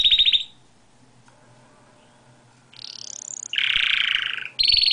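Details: Canary out of its cage, singing as usual indoors: a brief rapid trill stops, a pause of about two seconds follows, then rising sweeps, a dense buzzy roll and a fresh high trill.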